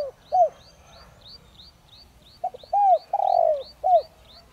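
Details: Spotted dove decoy bird of the Đồng Rặc voice style, kept to quickly provoke other doves to call; low hoarse coos in short falling notes with a longer note, over a repeated thin high chirping from another bird.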